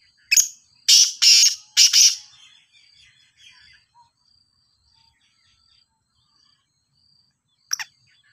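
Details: A Sindhi black francolin, praised as a strong caller, delivers a brief note and then three rough, scratchy double bursts over two seconds. A long silence follows before a single short note near the end.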